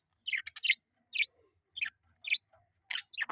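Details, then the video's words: Pet budgerigar chirping: short bright chirps clustered in small bursts roughly every half second to second, each note dropping slightly in pitch, with quiet gaps between bursts. "budgie chirping sound|budgie chirping voice"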